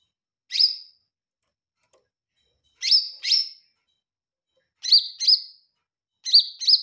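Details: Active song of a lesser green leafbird (cucak ijo mini): loud, sharp, downslurred chirps, one alone and then in evenly spaced pairs, separated by silent gaps of one to two seconds.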